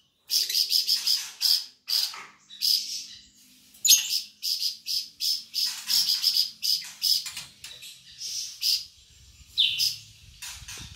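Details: Flamboyan bird of Sumatra singing hard: quick high-pitched chirps in running clusters, a sharp loud note around the middle, then sparser bursts toward the end.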